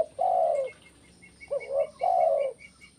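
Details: Spotted dove giving repeated coos, kuk 1 style: a long steady coo, a pause, then a double hooked note and another long coo, with a series of thin high chirps from other birds.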